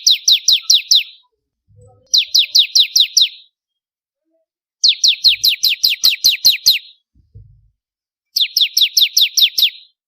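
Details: Four separate bursts of fast, ringing, downward-slurred chips, roughly six to nine notes each, come from an energetic crystal-type bar-winged prinia whose song serves as a master recording for contest birds.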